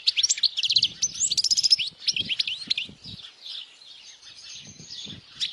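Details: European goldfinch song for young birds to memorize: a burst of rapid twittering chirps and buzzy trills for about two seconds, then a softer, fainter warbling, with low knocking sounds in the background.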